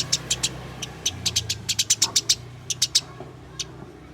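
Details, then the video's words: Fighting call of house sparrows, meant to make sparrows sing: a quick series of sharp, high chips, clustered and uneven, around twenty notes, then sparse, with low droning hum behind. "Masteran Burung Gereja Tarung"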